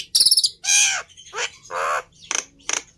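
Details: Black-winged myna song in short separated bursts: a stuttered high buzz, then drawn-out harsh rasping notes alternating with brief squeaky chips.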